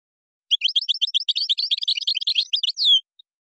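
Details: European goldfinch in Moroccan gazarat and srrr bertbertiu singing style: an unbroken, rapid stream of bright tinkling twitters closing with a downward-slurred whistle.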